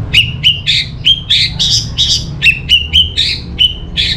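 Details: Orange-headed thrush singing as a lure for other birds: a rapid run of clear whistled notes alternating with harsher buzzy bursts, about three phrases a second, steady low background hum.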